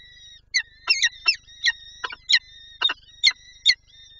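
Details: Peregrine falcon in Lublin, 23 April 2024, eager to feed its chicks: loud harsh, rasping chip notes burst out about twice a second, over a thin continuous high whine; faint low hum beneath.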